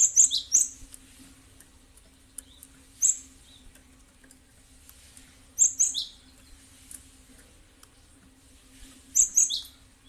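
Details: Cinereous tit lure sound: short phrases of two or three high, sharp chirps repeated about every three seconds, with a steady faint low hum underneath.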